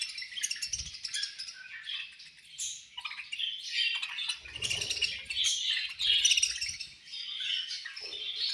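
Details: Budgies feeding, many birds chattering in rapid, grating chirps and short squawks that rise and fall in waves, with occasional wing flutters and low knocking sounds.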